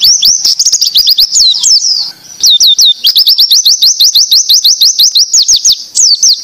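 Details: High, thin, rapidly repeated whistles from an Oriental white-eye, 'tembakan ziper' style training song for tutoring other birds; a jumbled burst, a brief lull, then a long even chain of sharp sweeping notes.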